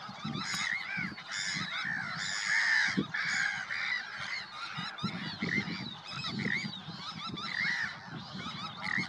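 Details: Chorus of Sandwich terns at Påarp near Halmstad, Sweden, 9 July 2024. Rasping, scratchy calls come in quick overlapping bursts from several birds, over a low background rumble.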